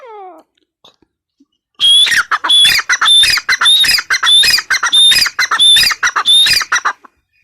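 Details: Female grey francolin calling: a loud harsh series of about nine squawking notes, each with a clear whistled tone, repeated in quick rhythm for five seconds after a brief faint falling sound.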